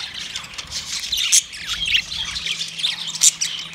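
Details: Australian parrots known as budgerigars calling another budgie; high twittering and scratchy notes run without pause, with sharp squeaky peaks near the first and third seconds.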